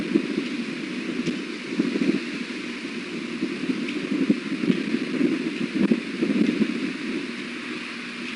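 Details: Strong gusting wind buffets the microphone throughout with a rough, rushing roar, and no distinct animal calls are heard.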